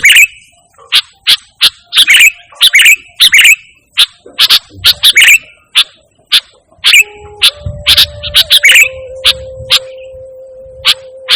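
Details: Unmixed vigorous song of a sooty-headed bulbul, meant for calling birds and tutoring pet birds: sharp separate chirps repeated about every half second, later joined by a steady low tone.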